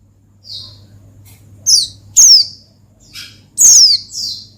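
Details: Oriental white-eye song aimed at stirring a rival: scattered high twitters building to two loud, shrill downward-sliding chirps, low background hum.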